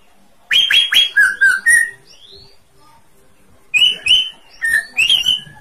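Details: Greater green leafbird in full song: fast, ringing, slurred whistles in two bursts separated by a short quiet gap.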